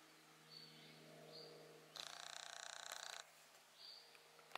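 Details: Common kingfisher in the Drava valley, 1 October 2023, giving thin, high, sharp whistles about a second apart over a low steady hum, with one loud burst of rapid buzzy rattling.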